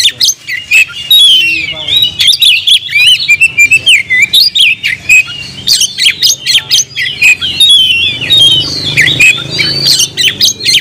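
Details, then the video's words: Energetic song of a kept oriental magpie-robin, or kacer: rapid, varied whistles and chattering squeaks mixed with sharp clicks and harsh bursts, delivered almost nonstop with quick pitch swoops and short gaps between loud phrases. "kacer gacor nagen sampe leklok"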